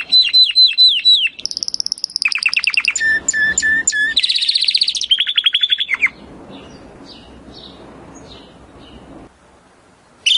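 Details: Timbrado canary song meant for training: repeated whistled notes, metallic trills and buzzy phrases for six seconds, then fading to faint distant notes over low background hiss.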